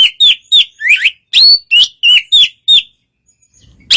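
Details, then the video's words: Oriental magpie-robin singing calmly to draw a response from a less eager magpie-robin: about ten short clear whistled notes, some slurred or warbled, in brisk succession before a sudden silence. "suara kacer santai memancing kacer yg kurang emosi"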